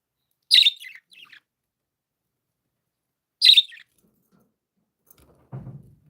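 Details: A happy pet budgie gives two sharp high chirps about three seconds apart, each followed by a fainter trailing note, against silence, with a soft low thump at the end.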